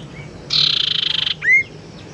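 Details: Tailorbird lure sound, used to attract birds and to stimulate sluggish or silent caged tailorbirds into singing: a rapid buzzy trill of about twenty pulses lasting under a second, followed by a sharp rising-falling whistled note.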